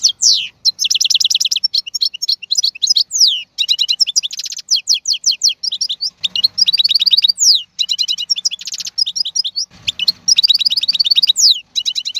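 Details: Wild-caught European goldfinch praised as the strongest singer of the 2022 season, pouring out continuous bright twittering phrases mixed with dense buzzy rattles, quick chip series and sweeping slurred notes, with faint low background rumble.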